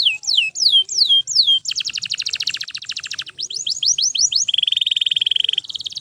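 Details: Canary singing nonstop to help train other canaries: four falling whistles, a long rapid trill, a run of quick upslurred notes, then a steady buzzing roll.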